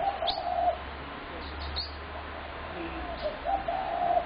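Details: Spotted dove making a loud racket on 21 January 2017: two low rolling coo phrases at the start and end, with short high twittering notes and a faint low hum between.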